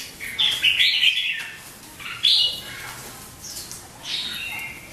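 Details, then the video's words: Red-whiskered bulbul in competitive singing, giving bright, bubbly bursts of warbled, chirpy notes in several quick phrases about a second apart, with a faint hiss behind. "Chào mào đang chiến hót"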